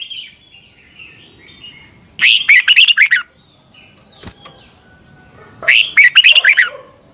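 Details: Red-whiskered bulbul morning song for training birds, 'chè căng lửa' style with double-twist voice: two bright bursts of quick warbled notes about three seconds apart, faint softer chirps and a brief click between.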